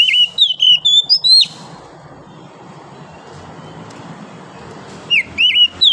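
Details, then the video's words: Wild forest oriental magpie-robin singing in the morning: a quick run of bright, slurred whistled notes, rising and falling, for about a second and a half, then a quiet pause before the whistling phrases resume. "OCEHAN KACER DIAPAGI HARI, suara asli kacer hutan liar"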